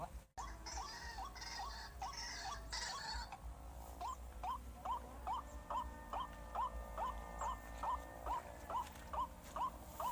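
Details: White-breasted waterhen lure sound meant to make waterhens panic: steady run of short, hooked notes rising at the end, about two each second, following an opening stretch of broader, noisier sound.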